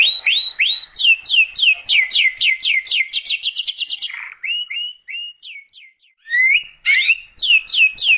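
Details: Canary in vigorous song, used as tutor and lure audio: a steady run of descending whistled sweeps, a short rough burst, softer rising notes with a pause, then a loud buzzy flourish and more sweeps.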